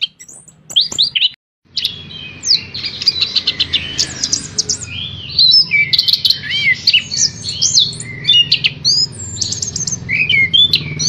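An orange-headed thrush sings a loud, rambling song: clear slurred whistles, rapid trills and scratchy chips in unbroken phrases, over a faint low hum.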